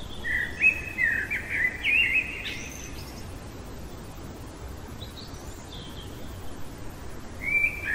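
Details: Common blackbird singing in the middle of the night: a burst of fluttery, warbling whistled phrases at the start, a pause with faint distant notes, then a new phrase beginning at the end, over steady low background hum.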